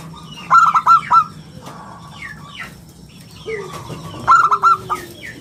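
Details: Local zebra dove singing in the prized round crystal voice, a lure and training master for other birds: two bursts of rapid rolling coos a few seconds apart, with scattered chirps from other birds between.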